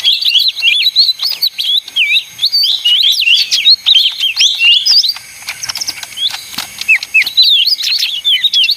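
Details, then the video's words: Small leafbird (ijo mini, daun) in loud, busy song: dense runs of looping whistles and chirps, a brief quieter lull around the middle, then scattered sharp notes. "suara ijo mini (daun)ribut paling ampuh"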